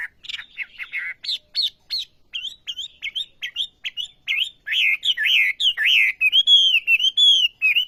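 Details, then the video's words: Olive-backed sunbird singing energetically: scratchy clustered chirps opening into a long series of high, clear whistled notes that bend and arch, speeding toward a near-continuous warbling run at the end. "Burung Wambi Gacor Khas Sekali Kicauanya"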